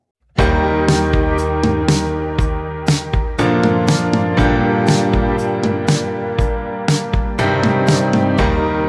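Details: Loud instrumental music with struck, plucked notes and heavy low beats plays throughout, with no animal voice audible.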